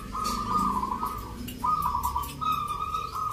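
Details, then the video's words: Local zebra doves (perkutut) in a rhythm-song contest of Nglagu Ngepat Mentaraman style, Jogjakarta, Sunday 19 November; overlapping rolling, trilled coos held near one pitch, broken by short pauses, with several birds calling together. "Pertarungan sengit Perkutut lokal irama 😱Suaranya ngerih"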